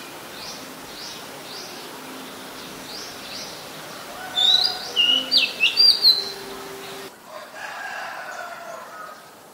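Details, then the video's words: Oriental magpie-robin, a common resident bird in Ubon Ratchathani, Thailand, recorded 17 July 2022 with a Nikon P1000: faint distant chirps, then one bright phrase of rapid, varied whistles and trills lasting about two seconds, followed by quieter muffled background noise. "นกกางเขนบ้าน Oriental Magpie Robin (singing)"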